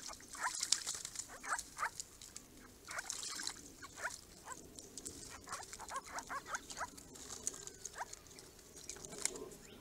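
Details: Grey-crowned Babblers, one of a small monitored group, calling at a purpose-built garden pond; a busy run of short chattering notes repeats through the clip over a steady high-pitched hiss.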